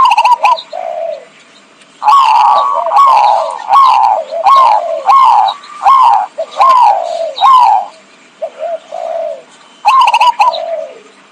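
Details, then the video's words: Zebra dove call used as a lure for trapping: a run of short, falling coos, each opened by rapid staccato clicking notes, repeated roughly once a second with brief pauses between bursts. "suara pikat burung perkutut"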